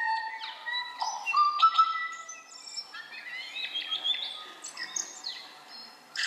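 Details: Tui in New Zealand singing a varied, irregular string of clear ringing whistles broken by sharp clicks, coughs, grunts and high squeaky notes; much of its song lies above human hearing.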